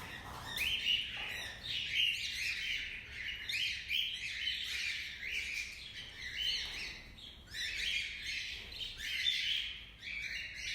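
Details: Cockatiels singing in the morning give a busy stream of bright chirps and warbled whistles.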